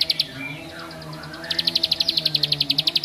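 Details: Bar-winged prinia song aimed at stirring other prinias: a brief pair of high chips, then a quieter gap with soft sliding notes and low hum, followed by an evenly spaced, rapid series of bright chipping notes.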